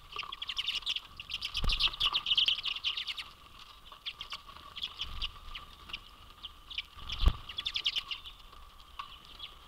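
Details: A large winter flock of Common Redpolls at a residential feeder in Manitouwadge, Ontario, on 10 January 2022 chatters in dry, rapid, buzzy twitters overlapping in bursts, with a faint steady whistle-like tone beneath and a couple of soft thumps.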